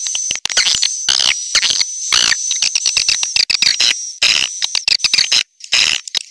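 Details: Swiftlets' attracting call: a steady piercing high whistle under bursts of buzzy twitters and quick click trains, with brief silent breaks.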